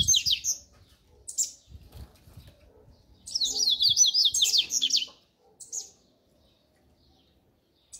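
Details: Double-collared seedeater in the "grego" song style, opening with scattered sharp chips, then a quick run of rapid, rasping descending notes lasting nearly two seconds, and a final short chirp, with soft low knocking in the background.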